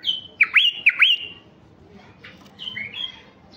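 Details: Stud male White-eared bulbul of a color mutation sings a short, clear phrase of looping whistles that dip and rise sharply, followed by a softer, drawn-out descending whistle; background otherwise quiet.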